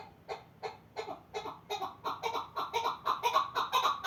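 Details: Chukar partridge from the Pamir starting with soft, spaced clucks that build into louder, faster, harsher chuck notes near two per second.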